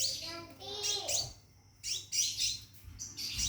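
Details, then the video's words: Caged Scarlet minivet calling a female to mate: a lower warbling, wavering sound opens, then loud high, thin note bursts follow in quick succession. "Burung Seppah Raja Gacor Di Dalam Sangkar panggil betin kawin"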